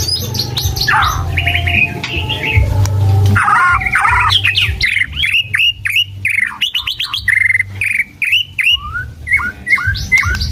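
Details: White-rumped shama in full song, changing tunes continuously: a burst of harsh, noisy notes, then rapid whistled phrases, sharp downslurred clicks and repeated upswept notes, varied and fast-paced, over a constant low hum.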